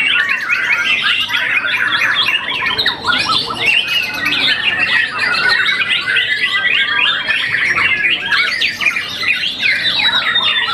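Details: Contest-champion young white-rumped shama after its first moult, keeping up a long, dense flow of quick high whistles, chips and trills, with occasional drawn-out rising notes near the end.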